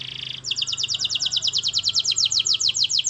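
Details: Constantly singing canary used as bait to get a quiet canary to sing. A brief buzzy tone is followed by a quick, even rolling trill of high downward-sweeping notes.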